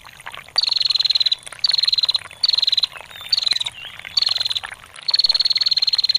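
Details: Female bar-winged prinia giving its long ngetir call, meant for tutoring songbirds: six bursts of fast, high, even ticking trills, each under a second, separated by short pauses over a steady background of trickling water.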